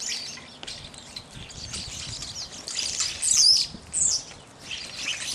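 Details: Evening grosbeaks giving high, shrill, squeaky calls in short bursts, several birds overlapping, with a louder cluster of sharp notes past the midpoint.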